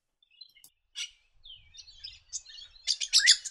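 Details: Red-rumped parrot calling in the New England region of NSW, Australia, a bird of parklands and grassy woodlands: bright, high chirps and short warbled notes, building to a dense burst of rapid twittering near the end.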